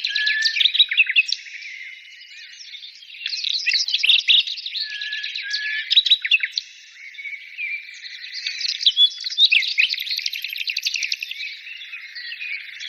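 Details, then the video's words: Birds singing together in a dense, overlapping chorus of rapid high chirps, trills and twittering notes, swelling in bursts around the first, sixth and ninth seconds with only brief dips between. "birds singing"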